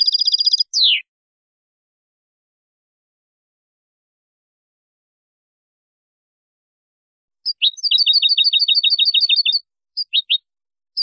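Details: European goldfinch of Spanish song style for training young birds: a quick twittering burst and a falling note, a long silence, then a rapid even series of repeated chirps and a few single notes.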